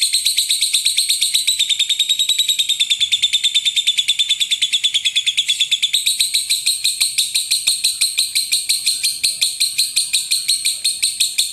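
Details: Champion contest lovebird, kept as a master recording to train birds for singing contests where long 'ngekek' chattering is prized: a continuous, rapid, high-pitched buzzy chatter of densely packed pulsed notes, unbroken throughout and slightly wavering in pitch.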